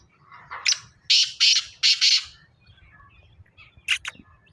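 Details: Black francolin calling: a series of loud, harsh, grating notes, a short burst followed by three strong rasping phrases, then two sharp notes near the end, with faint low background rumble.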